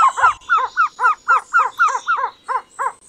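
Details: Trogon delivering rapid paired hooting notes, each a sharp downslurred note followed by a lower echoing one, repeated about every quarter second against soft background hum.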